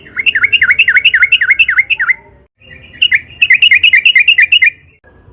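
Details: Lively yellow-vented bulbul song, used as a lure: a fast string of looping V-shaped whistled notes, a short break, then another quick bubbly run.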